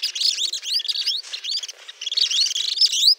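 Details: White-throated jacamars (Brachygalba albogularis) in Peru give a busy stream of thin, high chirps and sharp up-slurred whistles, overlapping quickly as if several birds call together.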